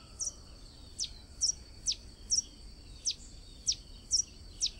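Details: Brazilian blue-and-yellow tanager giving high, thin, clipped chirps at regular intervals of roughly half a second, with a continuous faint high-pitched tone running underneath and a quiet low hum.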